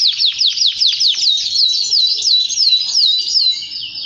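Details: Singing male canary, played to stimulate other males: a tour of loud, downward-slurred notes repeated about two and a half times per second, with slight variation in each note.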